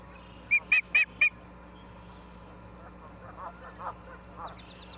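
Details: Osprey recorded by a live nature camera at Charlo, Montana, on 28 September 2023 at 17:45; four loud, sharp, whistled chirps in quick succession, each a short down-slurred note, followed by fainter lower calls from other birds in the background.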